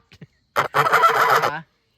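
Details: Close farm goose giving a harsh, brassy honk of about one second after two faint short notes; the bird is said to call at everything that comes out and to act as a predator alarm.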